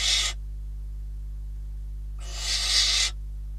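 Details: Catalonian barn owls at the nest, 12 December 2021, on a live camera during prey deliveries: a short rasping hiss followed after a pause by a longer, louder breathy screech lasting almost a second, over a steady low hum.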